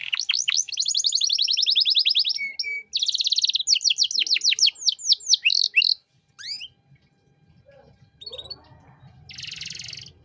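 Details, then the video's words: Canary master song in 'cengkok mewah' style for training young songbirds: six seconds of rapid rolling trills and downswept notes, then a few scattered notes, near quiet and a faint buzzy burst. "Masteran Kenari Gacor Cengkok Mewah untuk Burung Bahan"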